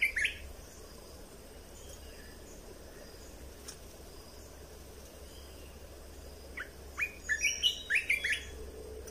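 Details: Caged red-whiskered bulbul, with song played to train young birds and rouse others. One brief note is heard at the start, then a long quiet stretch, then a rapid string of sharp whistled chirps near the end.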